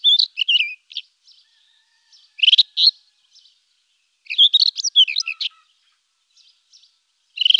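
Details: Rufous-tailed scrub robin delivering a varied series of clear, warbling phrases with sweeping, slurred notes and rapid twitters, broken by short pauses and occasional soft notes, with no other sounds.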